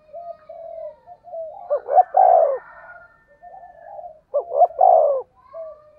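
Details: Lure call of a spotted dove in the 'thổ sấm' thunder-like voice, meant to stimulate other doves. Two low, burred coo phrases with stammered openings are separated by quieter, soft whistled notes.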